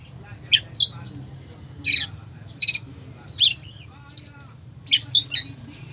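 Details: Oriental magpie-robin in full 'isian' song, a filled-in style used to rouse a sluggish bird: bursts of harsh, buzzy broadband notes mixed with short high whistles and chirps, irregularly spaced about once per second over a low steady hum.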